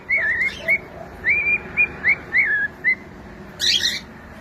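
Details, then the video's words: Domestic cockatiel chick singing a phrase of wavering, slurred whistles, followed by a burst of harsh scratchy squawking toward the end. "SOM DE CALOPSITA CANTANDO PARA ENTRETER E ACOMPANHAR SUA AVE"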